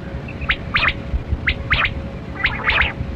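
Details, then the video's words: Kali kirak quail, batera, heard during a hunt giving harsh clipped chirps, a single note followed by a rapid double, repeated about once a second over a low rumbling background. "Sound Of Kali Kirak Quail Batera"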